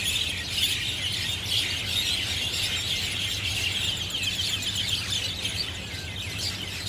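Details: Sunday afternoon flock of Javan or Jungle mynas chirping loudly in treetops at Marina Barrage, Singapore; a busy wall of sharp, high chirps and squeaks from numerous birds, sounding like quarrelling, with a faint low drone.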